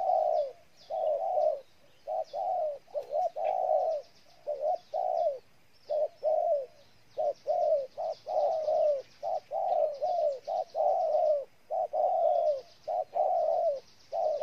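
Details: Long run of spotted dove cooing from Ninh Thuận, Vietnam: rhythmic groups of short and drawn-out mellow notes repeated nearly fifty times a minute, over a faint wash of small-bird chirps.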